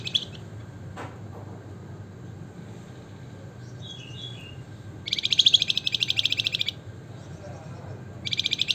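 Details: Javan fulvetta, called flamboyan or wergan jawa in Indonesia, singing ngebren: a short chirp, soft twittering notes, then a long, rapid, buzzy high rattle and the start of another, over low steady background hum.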